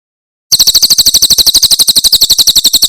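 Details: Javan prinia song, called Tembakan Cililin, for training pet birds: a clear, rapid string of shrill repeated chirps at an even tempo for over two seconds, with nothing else audible.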